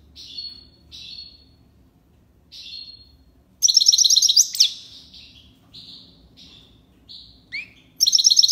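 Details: Tiwawati song of a European goldfinch in Algiers, Algeria: soft spaced high tweets build into a loud rippling trill, then scattered twitters and a final burst of rapid notes.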